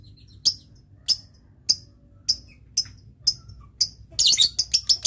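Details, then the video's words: Lovebird used as a master bird for training, giving sharp high ticking notes about every half second, ending in a dense burst of rapid harsh chatter. "masteran love bird yang susah bunyi ngetik , ngekek panjang"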